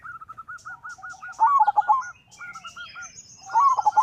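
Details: Singing local zebra dove whose call serves to invite and provoke other doves to sing; a run of short, evenly spaced coo notes leads into rolling trilled phrases, with thin high chirps of other birds behind.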